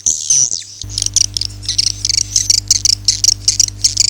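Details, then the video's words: Swiftlets in Akau ngaji call style, a brief whistled buzz, then a fast stream of sharp high twittering chirps, several per second, over a droning low hum. "suara walet Akau ngaji Original"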